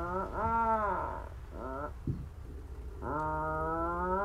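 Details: Atlantic Puffin at a seabird colony in Iceland, arriving in flight at its burrow, giving its purring song of low, drawn-out groaning purrs, about a second each, with one short burst between; a faint knock sounds in the quiet gap.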